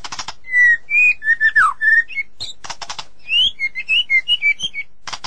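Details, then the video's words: White-rumped shama sings a rich, varied run of clear whistled notes, some sliding up or down, broken by harsh rattling bursts. "เสียงนกบินหลาดง (นกกางเขนดง) White-Rumped Shama Sound"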